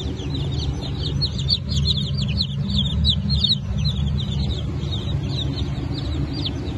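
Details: Freshly hatched Brahma and Wyandotte chicks, 4 August 2024, chirp in a busy flock. Sharp, high, slightly descending peeps repeat quickly over a strong low droning hum.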